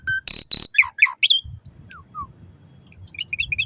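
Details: Asian pied starling song used to get caged birds singing, morning or evening: two loud harsh screeches, slurred descending whistles, then softer chirps over low rumbling background noise.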